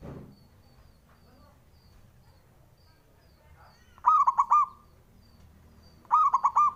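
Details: Local male zebra dove calling to provoke competing males: after a quiet stretch with faint thin whistles, two quick rolls of four bubbling, hollow coo notes about two seconds apart.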